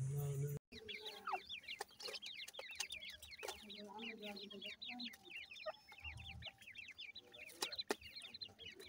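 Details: Several grey francolin chicks at feeding time, a dense overlapping chorus of thin, high, quickly falling peeps, with a low hum and occasional knocks in the background.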